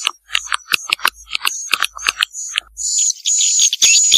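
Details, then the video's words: Vietnamese "janda" swiftlet lure sound: quick separate clicking chirps about four per second, then a continuous high thin whistled trill layered over a hissing chatter. "SUARA WALET JANDA VIETNAM"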